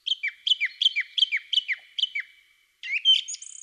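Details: Male song thrush singing, an early-season singer whose song carries a territorial message to females and rival males: a crisp two-note phrase repeated about eight times in quick succession, then a pause and a new, squeakier phrase.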